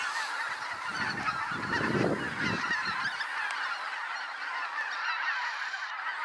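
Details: Hundreds of geese landing on a pasture after flying in over the trees, the flock growing louder; overlapping honking calls form a dense chorus, swelling around the second second and continuing as a steady din.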